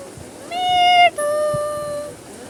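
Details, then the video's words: A pet Indian ringneck parakeet talking while eating chocolate speaks two drawn-out, nasal, high-pitched syllables, each held about half a second, over a faint room hum. "Parrot Talking"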